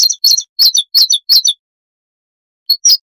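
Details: Siberian rubythroat, a small insect-eating songbird, delivering rapid, rhythmic high chirps, about five doubled notes in a row. A pause follows, then two more notes, all against a quiet, noise-reduced background.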